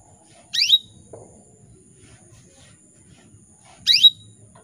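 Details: Female canary calling to male canaries as a lure to get them singing: two piercing, steeply falling high calls about three seconds apart, with faint low background noise.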